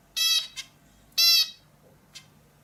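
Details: Indian bulbul calling twice, loud harsh nasal notes of about a third of a second each, roughly one second apart, each followed by a faint short echo-like note, against a quiet background.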